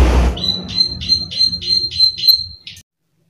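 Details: A plain prinia clicks steadily, a string of about ten bright, high 'klik' notes at roughly three per second, over a low background rumble, after a brief burst of noise at the start.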